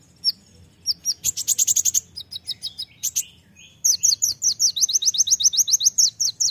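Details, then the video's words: Olive-backed sunbird, called kolibri ninja locally, singing a tembakan-filled gacor song: rapid high buzzy bursts, scattered sharp chips, then a long fast series of thin descending notes in steady rhythm. "masteran kolibri ninja (konin) gacor isian full tembakan"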